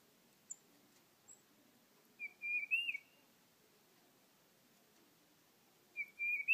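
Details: Tufted titmouse singing at a bird feeder, filmed on an iPhone; two bursts of clear, whistled, slightly rising phrases, about four seconds apart, with a few faint high chips before them and little background noise.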